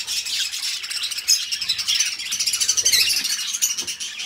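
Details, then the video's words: Pet budgies, a companion pair, deliver rapid rattling warbles and sharp high chirps in an even, continuous flow of twittering. "Parrots singing beautiful birds voice beautiful budgies birds sounds"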